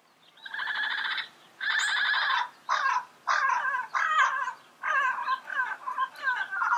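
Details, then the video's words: Long grating squawks from a yellow-headed parrot in its natural habitat, two drawn-out buzzy calls followed by a quicker, more varied series of rough, warbling notes. "Yellow-Headed Parrot Sounds - Natural Bird Calls and Songs in the Wild"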